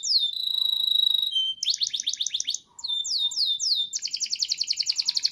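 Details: Canary from a collection in Petarukan, Pemalang, Central Java, singing a loud varied song: a long steady whistled note, then fast repeated downward-sweeping trills, a brief pause, and another rapid rattling trill.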